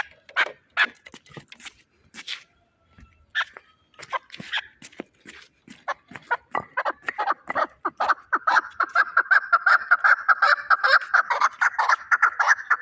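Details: Fighting chukar from Shahritus, irregular scattered chucks at first, then accelerating into a long continuous rapid chatter that grows louder toward the end.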